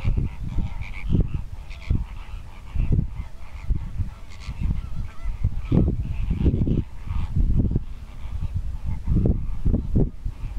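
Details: Displaying greater flamingos produce a steady din of deep honking and grunting, many birds calling at once in uneven bursts, some louder nasal honks standing out above the low, continuous chatter.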